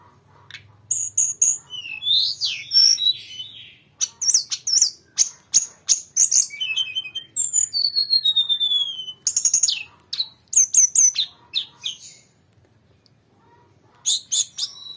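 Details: Grey-cheeked bulbul singing a long rolling song: dense clusters of high chirps and trills, sweeping whistles and rapid runs of repeated notes, with a pause near the end before a last burst.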